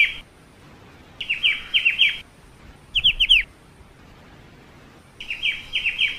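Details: A black-winged starling sings repeated bursts of four to five sharp, descending whistled notes, roughly every two seconds. Between phrases the background stays quiet.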